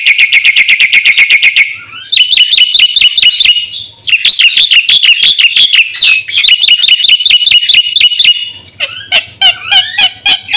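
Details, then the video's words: A Black-winged myna, recorded as a lure and master track for caged birds, runs through a long medley: a rapid rattle, then repeated hooked whistles in several bursts, closing with twisting, jumbled chatter. "suara burung jalak putih gacor full isian RAJANYA pancingan dan masteran"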